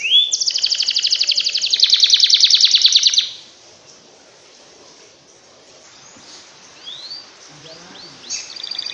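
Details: Canary song meant to stimulate lazy canaries: loud rapid buzzy trill for about three seconds, then near quiet with a few faint distant rising whistles.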